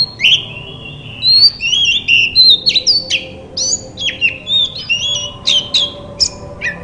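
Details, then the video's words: Kacer, the Oriental magpie-robin, singing a lively stream of sharp whistles, upslurs and buzzy chips packed closely together, a recording meant to stir quiet birds into replying with their own song. "Burung kacer terapi dari tidak bunyi langsung saut dengan suara ini dijamin gacor"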